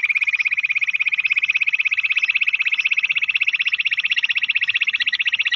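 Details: Bush quail calling, used for quail hunting: an unbroken, fast, buzzy trill of high pulses, about four beats a second, steady in pitch, with no other sounds.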